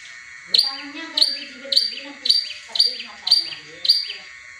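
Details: Long-tailed shrike giving spaced tengkek buto–like shots to coax silent caged birds: loud sharp high notes about every half second over soft lower voices.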